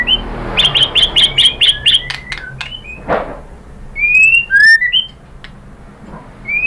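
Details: White-rumped shama song meant to provoke other birds into singing: a fast run of about eight sharp repeated notes, then clear whistled slurs rising and falling, with pauses between phrases.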